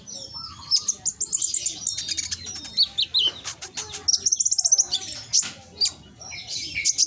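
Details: A konin's loud, ringing song used as a lure in Gresik, East Java: bright high chirp series and twittering trills, with brief pauses, then a rapid run of repeated notes near the end.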